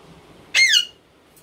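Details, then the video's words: Single loud, harsh screech from a ringneck parrot, a brief arched squawk falling away at the end, quiet background. "male females ringneck Indian parrot"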